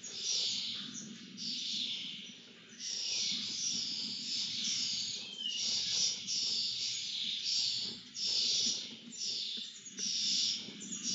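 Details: Begging during a feeding at a lesser kestrel nest: long runs of very high, scratchy, hissing notes come in pulsing bursts separated by brief pauses, with a faint steady low hum beneath.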